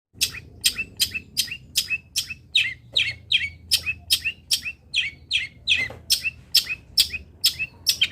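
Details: Local long-tailed shrike (cendet lokalan) delivering must-have fill-in phrases used as master material: a rapid, steady series of sharp, high, buzzy chirps, roughly two per second, with a faint low hum beneath.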